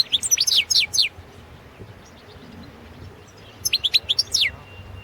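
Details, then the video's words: Caged European goldfinch of subspecies balcanica, entered in a 2017 world goldfinch song championship in Serbia; fast sequences of high, downward-slurred tinkling notes in two bursts, the second ending with a short buzzy trill and faint thin tone. "Pesma štiglića 012/ 2017 Potić Sanja World championship in Goldfinch Song 2017"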